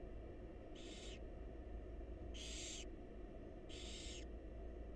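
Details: Barn owl chicks, wild, begging in a nest box as the mother feeds them; three rasping hissed screeches, each about half a second, spaced roughly every one and a half seconds above a low background hum.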